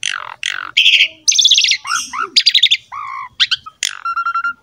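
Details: Energetic Asian pied starling song to encourage young birds: harsh squawks, buzzy rattles, descending slurs and short clear whistles strung together.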